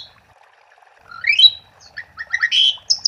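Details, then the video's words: Asian pied starling in lively 'gacor' song, used as a lure to get silent starlings singing; a quiet first second, then rising whistled slurs, a sharp upward sweep, and a cluster of chattering and squeaky notes near the end. "Suara Jalak Suren Gacor untuk Pancingan"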